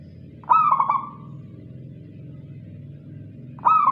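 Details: A local zebra dove gives one full rippling coo phrase of quick stuttered notes, with another phrase starting at the end. A steady low rumble runs throughout.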